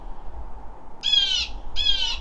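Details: A Blue Jay in a winter forest gives two harsh, raspy jeers, each about half a second long and under a second apart, over a low background rumble. Jays call like this to signal predators or danger.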